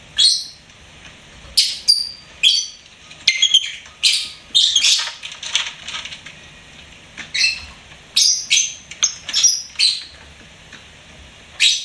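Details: Pet lovebird chirping in short, sharp bursts high in pitch, isolated notes and quick clusters spaced irregularly across the stretch, some with a harsh edge, against a quiet background.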